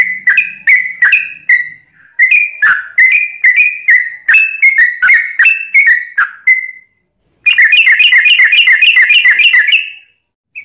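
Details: Long rolling song of a lively Sooty-headed bulbul, meant to goad other bulbuls into singing: chains of bright downslurred whistles, a pause, then a fast, dense chattering trill lasting several seconds before silence.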